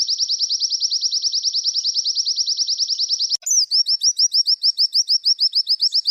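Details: White-eye song used to coax caged birds into singing: a rapid, even trill of high slurred notes for three seconds, a sharp break, then slower repeated downslurred notes with faint chattering behind.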